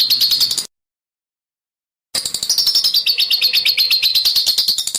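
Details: Bird song used as a training master for competition birds, with harsh, rough besetan notes: fast, dense series of sharp high chirps, several per second, broken by a short silence before the rapid burst resumes.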